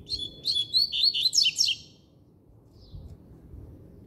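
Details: Caged double-collared seedeater in steady song: one rich phrase of rapid, sweet, slurred notes building to louder trilled elements near its end, then faint quiet background.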